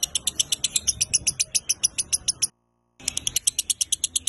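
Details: Chatty lovebird singing the 'konslet' style, recorded as training audio: long rapid bursts of shrill, scratchy pulses at about eight per second, broken by a brief silent gap midway.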